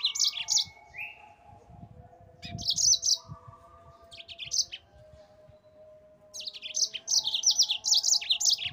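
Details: Yellow-fronted canary singing for a master recording meant to train cage birds: scattered bursts of sharp high chirps and a short whistle, with a quiet stretch in the middle before fast chirping resumes.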